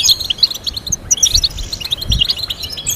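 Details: Goldfinch melody for teaching a bird to sing: crisp, sparkling chirps and short twittered phrases follow quickly, some notes sharply emphasized, with soft low knocks underneath.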